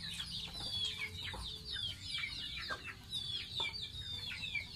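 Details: Pet baby domestic goose in its bath makes long, high, descending whistled peeps mixed with shorter chirps, flowing in quick succession over a faint low background hum.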